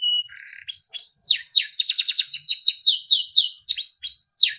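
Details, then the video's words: Timbrado canary training song, beautiful and melodic: a short flat tone, buzzy note, then loud sweeping whistles and rapid repeated downslurred notes throughout. "Timbrado canary singing beautiful melodic songs for training"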